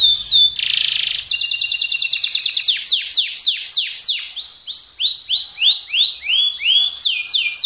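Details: Colour canary singing in the energetic speed roll and tembak style, used as tutor song for other birds: a buzzy burst, then rapid rolling trills of falling whistled notes, slowing into looping downslurred phrases.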